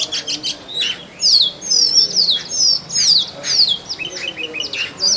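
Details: Male Oriental magpie-robin, known in Bengali as doel, singing in forest to win a mate; loud clear slurred whistles in repeated phrases, mixed with quick chips and buzzy notes.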